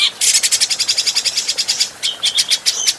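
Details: Adult grey-cheeked bulbul recorded cleanly for training birds, giving a rapid harsh rattling chatter of evenly spaced pulses, followed by a few short whistled notes mixed with brief buzzy bursts.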